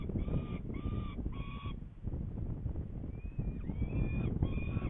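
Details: Saker falcon in Hungary, 21 May 2019, around 11:30, going to fetch prey: clear harmonic, slightly wailing notes in quick groups of three, then longer drawn calls after a pause, over steady low rumbling background noise.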